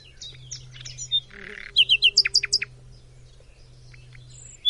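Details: Nightingale song from Macedonia: soft varied chirps and a brief buzzy burst, then a loud series of quick repeated high notes slowing into sharp separate strokes, then quieter scattered twitters over a constant low hum.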